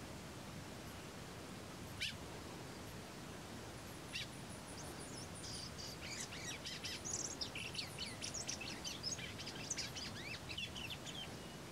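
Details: Rusty-collared seedeater singing at Los Tres Gigantes station in the Paraguayan Pantanal: a rapid run of high, thin, twittering and buzzy notes in the middle seconds, preceded by a few sharp isolated clicks over steady background hiss.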